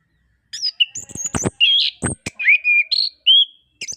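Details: Orange-headed thrush song to coax reluctant birds into singing: varied high whistles and squeaky notes with several sharp clicks, followed by clear whistled slurs.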